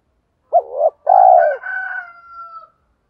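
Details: Spotted dove cooing as a decoy call for wild birds: a brief low note and a longer throaty coo, trailed by a quieter, higher, slightly buzzy tone that fades gradually.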